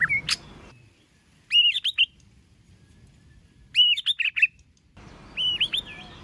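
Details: White-rumped shama singing competitively: a short harsh note, then three matching quick phrases of hooked whistled notes, each a burst of about four notes separated by roughly two seconds of silence.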